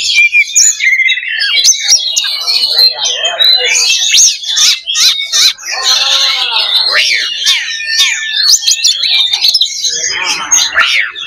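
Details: Oriental magpie-robin (kacer) loba fighting simulation, played to build fighting mentality. Long, dense medley of piercing whistles, rapid chattering runs and descending arched notes, with short harsh bursts throughout.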